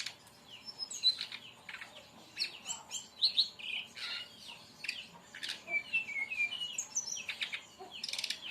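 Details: Brown-chested jungle flycatcher song, played to lure or train other birds. Lively high whistles, some doubled and some slurred downward, are interspersed with buzzy, scratchy notes in a continuous jumble of phrases.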